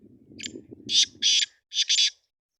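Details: Black francolin gives a harsh, grating phrase: one short note, then two loud rasping notes and a final doubled one, over a faint low rumble at the start; mixed calls of Black and Sindhi francolin.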